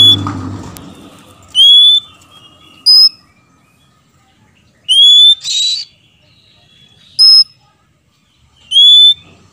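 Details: Oriental magpie-robin, male and female answering each other as cage birds: widely spaced single whistled notes, some with a buzzy chirp, separated by quiet gaps of one to two seconds; a thump at the start.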